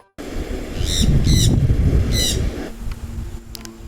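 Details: Jenday conure in Rio Grande do Norte, Brazil, near a house, where the species is common in both dry and rainy seasons: three harsh, rasping squawks about half a second apart over low wind rumble, with faint chirps afterward.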